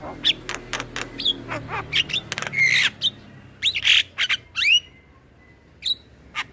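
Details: Gacor song of a male Javan myna used as training material for other mynas: rapid harsh chattering bursts and clear whistled upslurs, a long buzzy squawk near the middle, then sparse single notes over faint low background hum.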